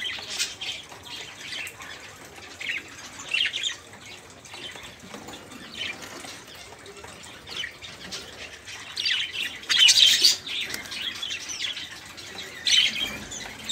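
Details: Budgerigars in a loud, crowded chorus, used as tutor sound for songbirds like canaries, white-rumped magpie-robins and green leafbirds. Continuous high twittering and scratchy warbles, swelling into strong shrill bursts around ten and thirteen seconds.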